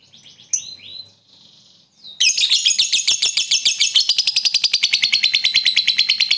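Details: Lovebird giving the ngekek trill meant to make rivals answer: a few squeaky chirps, then a sudden long, loud rattling trill of rapid high notes held for over four seconds.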